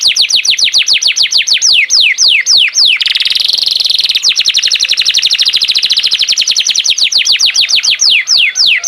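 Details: Canary in full, energetic song: long fast trills of repeated sweeping notes, slowing into separate downward slurs, with a dense rolling buzzy passage in the middle.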